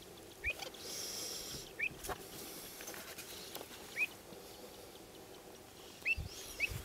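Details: Pied avocets driving a young bird from their territory give brief, clear, high piping call notes, five spaced over several seconds, against a quiet background with faint low rumble.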